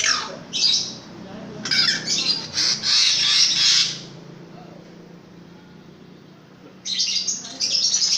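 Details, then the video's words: Long-tailed shrike, described as long-tailed with a very loud voice, singing vigorously: harsh, scratchy, broadband bursts in clustered phrases, then a quiet pause of about three seconds before more rasping notes. "BURUNG PENTET RAJA SUPER GACOR"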